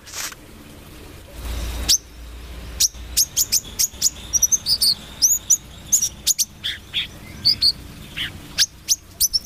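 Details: Brown-throated sunbird singing actively: sharp, very high chirps and short upward-flicking notes in quick irregular bursts, with brief pauses between phrases and a faint low hum in the background.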